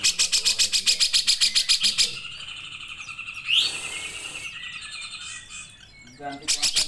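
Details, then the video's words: Grey-cheeked bulbul in a long burst song recorded as a training recording: a two-second run of rapid, regular chattering pulses, a rising whistled swoop over a softer hum, then the pulsed chatter resuming. "CUCAK JENGGOT GACOR"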